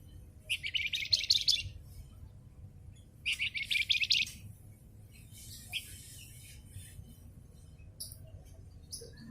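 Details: Javan fulvetta song used to train cage birds: two bursts of rapid, high, rattling chirps, each about a second long and a couple of seconds apart, followed by sparse, softer high notes.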